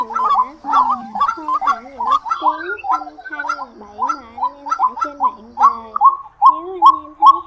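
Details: Lure recording of white-breasted waterhen for March night netting, 2024: a busy run of harsh, bubbling repeated notes with overlapping calls and sustained low tones beneath.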